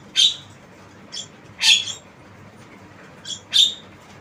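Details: Three loud, rasping squawks from a tame Javan myna, with softer, shorter notes between them, in a quiet setting.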